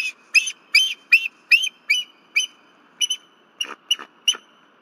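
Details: Female bald eagle at a Berry College nest, awakened at 10:10 pm on 15 February 2023 by a disturbance, calling loudly until her mate arrives. About ten thin, high piping whistles with bright harmonics come in uneven bursts over five seconds.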